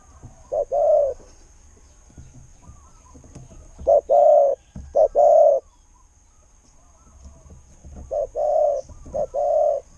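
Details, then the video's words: Spotted dove prized as a decoy for its voice. Low, mellow coos come in irregular clusters: a single phrase, then a group of quick double notes and long coos, then another pair after a pause. "เสียงนกเขาใหญ่ เจ้า 800 คูอ่าง เสียงดี ต่อเข้าหมาน"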